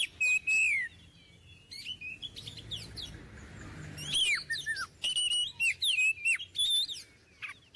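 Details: Oriental magpie-robin, kept as a cage bird, sings loud varied phrases: clear whistled notes near one pitch, sliding downward strokes and sharp chirps in bursts separated by short pauses, with faint low background hum.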